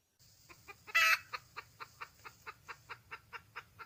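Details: Wild red junglefowl hen calling for a mate: one loud, harsh, broad call, then a steady run of short clucks about every fifth of a second, with a faint low hum beneath.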